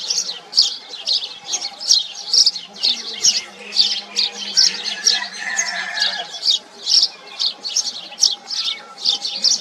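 A house sparrow chirps steadily, short bright chirps about twice a second, with fainter twittering behind.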